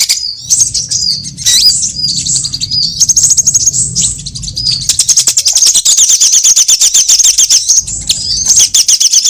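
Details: Sunbird lure call used for trapping, from all types of sunbirds: high slurred chirps, then a long fast buzzy trill of very high notes, ending with more short twitters over low hum.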